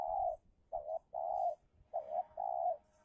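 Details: Spotted dove calling during a fight with a wild dove lured in Indonesia: a run of long, smooth, low coos broken by short doubled notes, delivered almost continuously with brief pauses between them.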